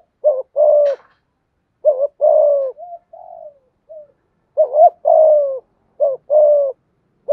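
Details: Spotted dove cooing through its whole calling, urging and cooing sequence to draw out other doves, with paired deep notes and lengthy descending coos repeated several times, interspersed with quieter sliding murmurs.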